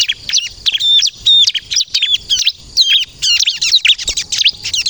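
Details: Energetic 'kristal' style song of a bar-winged prinia, for luring birds into answering: clear high whistled phrases with hooked, ringing notes in bursts about every half second, ending in a quick jumbled chatter.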